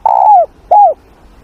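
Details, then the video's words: Spotted dove cooing in the morning for voice training: a long, slightly falling hollow coo followed by a shorter arched coo, clear and loud. "Tiếng Chim Cu Gáy// luyện giọng cu gáy buổi sáng"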